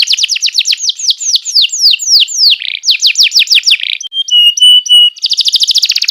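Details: Canary song for tutoring young canaries: fast trills of down-slurred whistled notes, a short buzzy roll, then steady high piping tones and a closing rapid trill, all loud and continuous.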